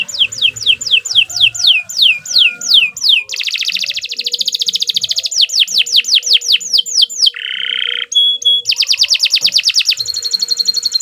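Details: Long-running canary song used as a training model: fast descending whistled notes in steady series, a buzzy rattle, more sweeping phrases, a low buzzy trill, then rapid repeated chips.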